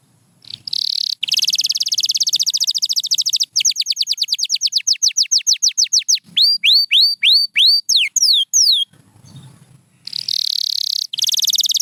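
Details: Pure white canary singing: long rapid buzzy trills of tightly repeated notes, then a run of clear downward-swooping whistled slurs, a brief pause, and another fast rolling trill at the end.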